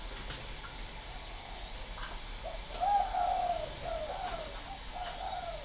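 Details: ['Spotted dove kept at a breeding farm in Ba Vì, Hanoi, northern Vietnam: a soft low coo phrase of a few hollow notes near the middle, then fainter coos later, over a steady high insect-like hiss.']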